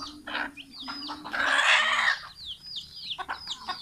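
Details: Chickens large and small fed after release from the coop one October 2018 morning in Fulbaria, Mymensingh; low clucks and a loud rough squawk, followed by thin high peeps.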